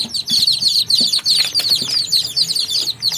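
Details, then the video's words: Many baby chicks peep together in a farm setting, rapid high-pitched chirps crowding one another without pause, each note a quick downward slur, over light scratching and rustling. "Adorable Baby Chicks Chirping Real Sound"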